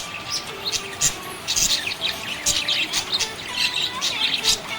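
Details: Budgerigar described as happy, giving rapid high chatter in clustered bursts, scratchy chirps mixed with brief whistles and faint steady tones beneath.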